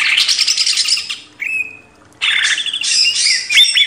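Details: Greater green leafbird from a master recording for training cage birds: a dense burst of high, scratchy warbling, then a single level whistled note, a short pause, and more chattering song.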